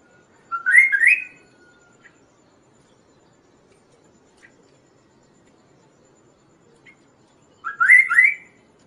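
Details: Kaso-kaso bird singing to train caged songbirds and attract other birds: two loud, rapid chattering phrases of rising, slurred notes, about seven seconds apart, with faint single chips between them in a quiet setting.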